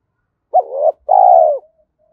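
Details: One spotted dove coo phrase for rousing a caged decoy dove: an abrupt first note that eases down, a pause, then a sustained low coo fading downward, followed by a faint trailing tone.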